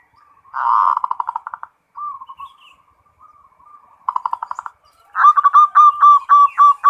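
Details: Local zebra dove in full 'ngerot' song, a loud rattling pulsed burst, quiet trailing notes, a second shorter burst, then a fast regular run of sharp hooked coos.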